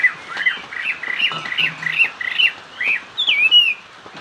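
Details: A Chinese hwamei sings hót xòe style: varied, rapid whistled phrases with swooping slurs, ending in a higher, ringing upswept whistle.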